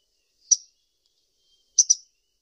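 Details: Sunbird, known locally as kolibri ninja, giving a single sharp high chirp followed by a quick double chirp about a second later, on an otherwise silent background.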